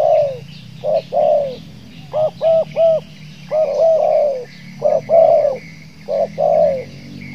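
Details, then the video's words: A spotted dove of the stuttering "gagap" type, set out at 9:15 in the morning after drizzle in Riau, coos in low, hollow phrases, with short stuttering coos clustered together and about a second between groups; faint background hum. "TEKUKUR GAGAP"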